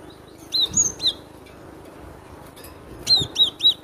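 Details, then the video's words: Loud cinereous tit song of sharp whistled notes, each falling in pitch, in two short bursts of three notes separated by a pause of about two seconds. "Suara lantang burung glatik batu"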